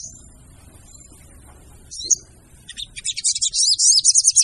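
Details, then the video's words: Lure call of a female brown-throated sunbird: mostly quiet at first, a single thin high note around two seconds, then quick high chirps building into a dense, rapid twittering chatter toward the end. "PANCINGAN SOGON TER AMPUH DENGAN SUARA SOGON BETINA!!!"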